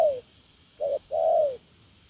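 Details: Spotted dove giving the "gù lèo nước" coo: the tail of one falling coo, a pause, then a short clipped note and a long, mellow, downward-sloping coo.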